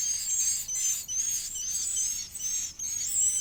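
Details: Edible-nest swiftlet chick begging while being fed: thin, high, hissing-whistled calls, each about half a second long, repeated in a steady stream with brief gaps.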